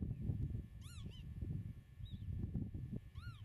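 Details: Redshank at a meadow nest, recorded from 8 metres: a double whistled note, then a softer single note, then another ringing whistle near the end, all over heavy low wind rumble.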